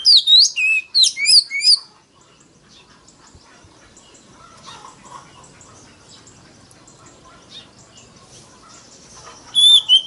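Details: Oriental magpie-robin lure recording with a very loud voice, made to draw rivals into singing contests. Short bursts of sharp, high whistled notes open and close the passage, separated by a long stretch of faint background hiss.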